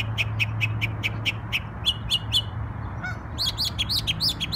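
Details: New York bird on Memorial Day delivering a fast row of even chirps, then slurred double notes and a final burst of quick, higher, hooked notes, over a low hum.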